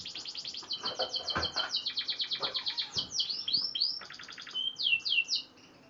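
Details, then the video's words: Six-month-old F1 canary learning to sing: rapid high trills of repeated notes, bright rolling phrases, then a few quick rising and falling whistled sweeps near the end. "kenari F1 belajar Bunyi usia 6 BULAN"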